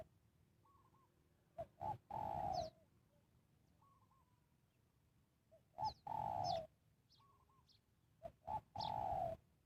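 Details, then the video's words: Spotted dove calling to lure wild birds into a trap: three spaced bursts of rough, rolling coos, with fainter distant coos answering between them and soft clicks in a quiet rural background. "Cara Pikat Tekukur memanggil Burung Liar"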